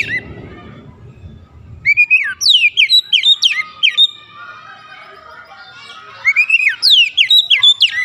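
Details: White-rumped shama song played as a lure to make other shamas sing: brief low noise at the start, then two long runs of loud, rapidly falling whistled notes with a softer warbling stretch between.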